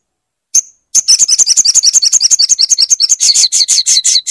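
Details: Crimson sunbird recording meant to get a non-singing bird singing: one sharp high note, a short pause, then a sustained rapid trill of buzzy, very high pulses lasting over three seconds and growing harsher near the end.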